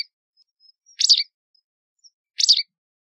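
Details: White wagtail calls: two sharp, high, slurred chirps about one and a half seconds apart, with faint thin tics between them.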